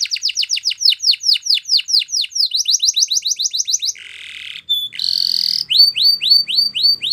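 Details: Spanish Timbrado canary singing: loud series of rapid descending metallic notes, then a buzzy trill, a brief pure whistle and another run of falling notes, all high-pitched and repeated several times per second.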